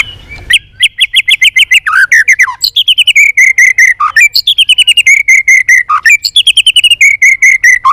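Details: Competitive song of a White-rumped shama flicking its tail: fast rattling trills of rich whistled notes in runs, each ending in a low downslurred note, repeated over and over.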